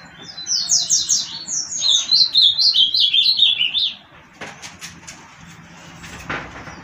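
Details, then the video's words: Caged ultramarine grosbeak (azulão) from Olinda, Pernambuco, Brazil, singing a fast warbled phrase of about twenty-five descending, slurred high notes lasting about three seconds, followed by soft clicks and faint background sounds. "Que Canto é Desse Azulão?"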